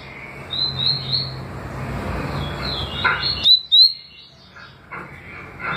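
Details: Double-collared seedeater giving its tui tui and deputado song: a pair of high rising whistles against steady low noise, a gap, then two sharper upslurred whistles and faint trailing notes.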